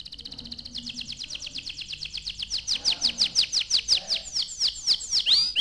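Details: Young canary singing a fast trill that turns into repeated loud sharp downward-swept chirps, with faint background noise.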